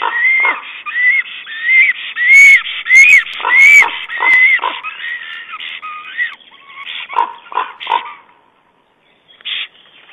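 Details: Black stork male calling to his mate while arranging the nest with twigs and moss, 9 April, nest camera in Estonia; a run of hoarse, hissing, whistly notes repeated about every half second, later fainter, with brief clatters.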